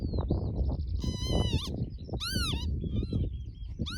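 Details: Northern lapwing mating pair on Barden Moor near Skipton, June 2026: a high thin whistle, then a long wheezy call and a sharply arched call, then a short call at the end, all over gusty wind.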